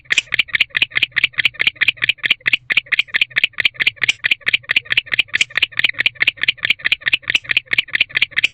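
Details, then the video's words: Male barn owl in an owl box on an autumn evening, 27 October 2023 at 6:49 pm, chirping while hoping a female will join him during courtship. Rapid, steady train of harsh, rattling chirps, about two per second, without pause. "Barn Owl Chirping Continues, Hoping to Be Joined By Female."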